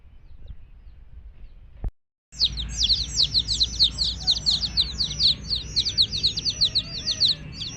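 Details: Baby chickens beside their mother hen burst into rapid, overlapping high peeps after a brief near-silence, each note a sharp falling chirp repeated about twice per second.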